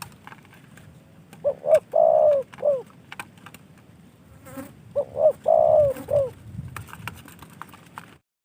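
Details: Cage-kept spotted dove, gifted by a fellow hobbyist, giving two cooing phrases of short notes around a long steady coo, with light clicks and background hum.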